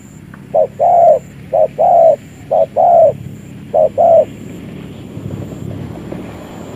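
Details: Spotted dove kept as a trapping decoy, calling in paired low coos, a short note followed by a longer one, four pairs in quick succession, then background rumble of a vehicle or aircraft.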